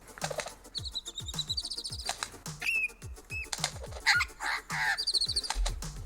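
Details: A superb lyrebird, likely a male, mimics sharp, rapid clicks like a camera shutter, mixed with high whistled phrases; background music and people's voices are also heard.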